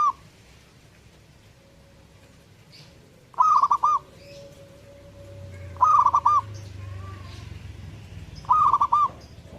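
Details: Zebra dove singing with stuttering, trilled coo bursts recurring about every two and a half seconds; a thin sustained tone and a low rumble lie underneath, with brief faint chirps of other birds.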